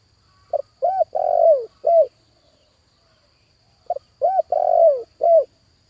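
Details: Spotted dove acting as a decoy, calling to attract a wild dove. Two loud cooing phrases at a mid pitch, each a short note, a hooked coo, a long rolling coo falling at the end, then a closing short coo, with a pause between.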